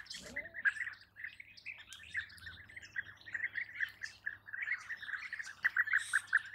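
European bee-eaters trade rolling, liquid 'prruip' calls, several birds overlapping in a steady chatter, over a faint low hum.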